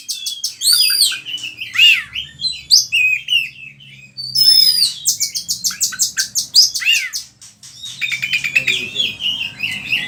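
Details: Oriental magpie-robin lure song meant for tutoring other kacer: sweeping high whistles and downslurred notes, then a long burst of rapid ticking trills and a closing run of chattering notes, with faint low hum beneath.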